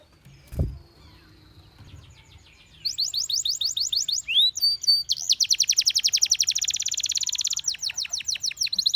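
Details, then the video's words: A canary song that starts after a soft thump and near-quiet, then bursts into high rapid trills of repeated downward-sweeping notes, with a brief whistled slur midway and a dense, fast rolling phrase. "The Most Beautiful Canary Chirping Sounds"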